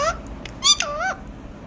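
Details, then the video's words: An Alexandrine parakeet talks: a couple of quick clipped sounds, then one drawn-out nasal syllable that dips and rises, with faint background noise. "চন্দনা টিয়া পাখির কথা শোনো"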